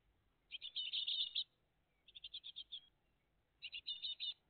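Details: Great tit family at its nest, recorded live on the morning of 20 June 2023: three clear bursts of quick, high, buzzy chirps, each about a second long, with quiet in between.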